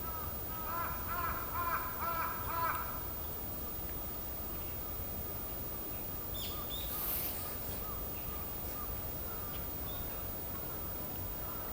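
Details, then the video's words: Female northern goshawk calling to the male: a rapid, harsh cackling run of repeated notes lasting about two seconds, then steady background noise with a faint high sound later. "オオタカの鳴き声 オスを呼ぶメスのオオタカ"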